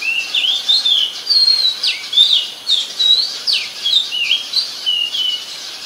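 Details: Oriental magpie-robin singing at Ubon Ratchathani, Thailand, on 14 October 2021, recorded with a Nikon P1000: a steady run of clear, sweet whistled notes that slur up and down, and short varied phrases that follow one another about once a second.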